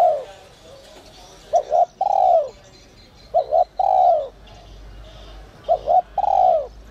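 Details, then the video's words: Spotted dove calling in the 'giọng còi' whistle voice, meant to excite decoy doves: three evenly spaced phrases, each a rapid two-part hoot and then a rounded, falling coo, over a low rumble. "Chim cu gáy GIỌNG CÒI te te kích bổi cực sung, giọng nhạy bổi kích cu gáy bổi nhanh gáy"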